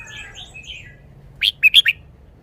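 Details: A short song phrase from a red-whiskered bulbul showing its song style: four loud, crisp whistled notes in quick succession, following soft, distant chirping from other birds.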